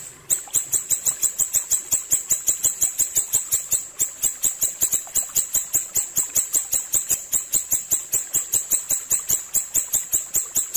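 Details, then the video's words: Ashy tailorbird song used as training audio for cage birds: one sharp, very high clicking note repeated fast and evenly, about four to five times a second, through the whole stretch. "masteran burung siri siri ampuh suara jernih"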